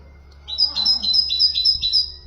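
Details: Great tit singing as a teaching song for goldfinches and canaries, giving six bright, rhythmic two-note phrases in steady succession, sharp and metallic, over a quiet low hum.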